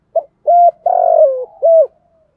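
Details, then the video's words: Decoy spotted dove giving the full thúc gù cooing sequence to provoke wild doves: a short soft note, then a steady coo, a longer slurred coo falling at the end, and a final firm coo, in clean silence. "chim cu moi thuc gu cu gay giong thổ, tiếng Thúc Gù, cu đất gáy gọi thúc gù đủ bài"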